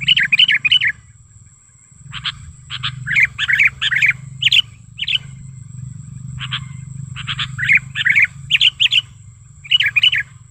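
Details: Sooty-headed bulbul lure call from the wild, meant for luring and tutoring bulbuls: clusters of bright bubbly notes separated by brief chips and pauses, with steady low background rumble.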